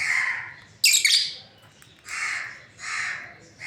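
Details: Breeding pair of lovebirds chirping: one sharp, bright squawk-chirp burst, then softer rising-and-falling chirps roughly every second, with lower grating notes between them and a quiet background.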